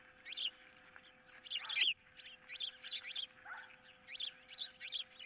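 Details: On a camera-watched nest, 15 April 2023, an osprey calls as an intruder lurks and its mate eyes a fish it holds; insistent high whistled chirps, rising and clipped, about every half second, over a faint electrical hum.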